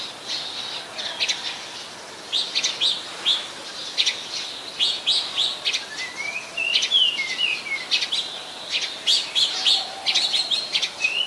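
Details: Oriental magpie-robin recorded on a Nikon P1000 in Ubon Ratchathani, Thailand, on 24 December 2020: choppy bursts of high chirps and twitters, with a few rising and falling slurred whistles midway and a brief whistle at the end.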